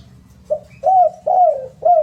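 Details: Spotted dove song of a short opening note followed by three drawn-out, gently falling coos, low and mellow, over a faint low hum.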